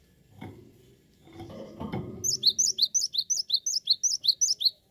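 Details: Low thuds and rustling give way to a long, energetic run of a cinereous tit (gelatik batu): about fourteen high, sharp whistled notes repeated roughly three per second, loud and steady.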